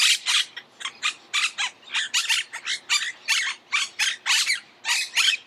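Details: Argentine monk parakeet giving a repeated series of raspy, strident squawks, roughly three to four per second, steady and insistent.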